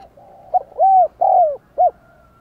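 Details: Decoy spotted dove of the 'đồng còi' voice type giving one phrase: a soft hum, a short note, two long arched coos, the second sliding downward, then a clipped final note.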